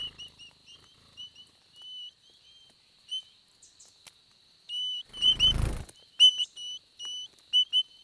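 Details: Summer nesting pair of Spotted pardalotes in the Capertee Valley, their short whistled notes in pairs and triplets repeating about once a second over a faint high hum, with a brief rustling burst partway through.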